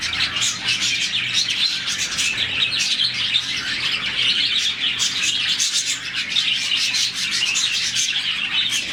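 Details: Colony of roughly 40 budgies chirping contentedly in the morning; busy, bright chatter with rapid tweets and sharp squeaks repeating across the whole stretch, many birds calling together.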